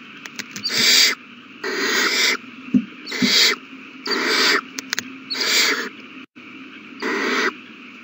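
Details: Owl chicks begging as they are fed a big meal at the nest, all babies eating well, March 27, 2020: harsh hissing screeches of about half a second, repeated irregularly about once a second, with faint soft taps between.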